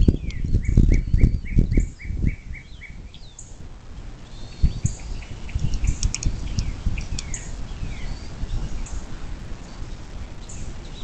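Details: Bald eagle at a nest along the Little Miami River in southwest Ohio, USA, near South Lebanon, at 07:02 on 26 April 2024: a quick run of about nine high, sharp piping notes, then low thumps and knocks at the nest, with faint chirps from other birds.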